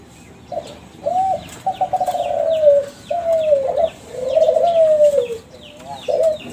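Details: Young Kelantan spotted dove bred from champion contest birds, used to draw answers from other doves: a complete phrase of short opening notes, a stuttered trill, and long falling coos, with small birds chirping repeatedly behind.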